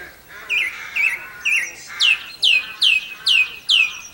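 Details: In April 2012 at Campbeltown, a song thrush repeats one bright, downward-slurred whistled note about eight times, roughly twice a second, each note loud and clear against a quiet background.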